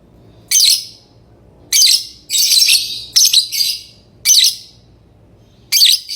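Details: Lovebird chirping, loud harsh high-pitched bursts in short clusters separated by pauses of about a second, some closely spaced chirps, quiet room background.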